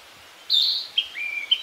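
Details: Singing Narcissus flycatcher among new leaves in northern Harima, central Hyogo, Japan: a rich warbled opening note followed by a clear whistle and a long falling slur, all within a second.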